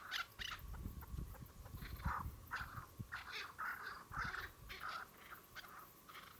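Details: Chukar partridges giving loud, harsh chuck notes in short groups with pauses between, accompanied by low thumping and rustling handling noise near the recorder.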